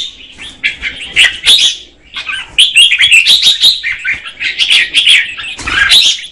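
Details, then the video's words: Female red-whiskered bulbul singing to stimulate a male, delivering rapid chattering, warbled phrases with sharp high accents, broken by a short pause near the middle. "Chào mào mái hót kích trống Red-whiskered female"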